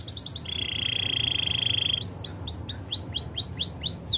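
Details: Spanish Timbrado canary, singing for training: a brief run of quick notes, then a long even buzzy roll of about one and a half seconds, followed by a series of looping upswept whistles repeated several times a second.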